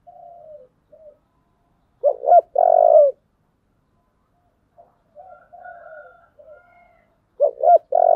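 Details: Cooing spotted dove, 'giọng thổ' song style: soft low coos, then a loud phrase of two short rising notes and a long throbbing note. Quieter murmured coos follow before the loud phrase begins again near the end.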